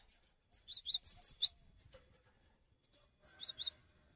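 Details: Cinereous tit singing to draw other tits into song: two short, fairly quiet bursts of high, bouncing two-note phrases, the first about one second long and the second shorter, with faint low background noise between them.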